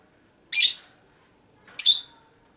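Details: Raspy ngekek from a female lovebird, recorded to provoke other lovebirds: two short, noisy, high shrieks about 1.3 seconds apart.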